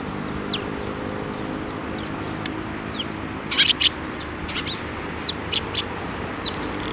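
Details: Sparrows at a Tenmangu shrine flying onto a hand to be fed, 7 May 2024. Short high chirps scattered through the clip, with a louder cluster midway, over steady broadband background noise.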